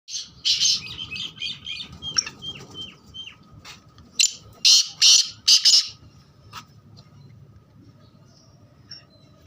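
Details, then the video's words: Black francolin calling: a burst of harsh, grating broadband notes around four to six seconds, preceded by scratchy chirps and a run of short downslurred whistles from other birds, over a low background rumble. "Kala teetar mast bolar khubsurat awaaz"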